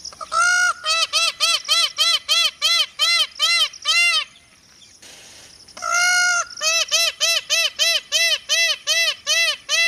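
Indian peafowl calls: a long, loud, nasal note, then rapid ringing honks about three per second, a short pause, then the same series again.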